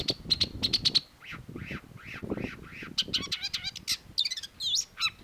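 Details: Long-tailed shrike in lively, vigorous song: a rapid series of high sharp chips, then a run of arched, slurred notes, then a burst of varied high trills and twisting whistles, over faint low rumbling background noise.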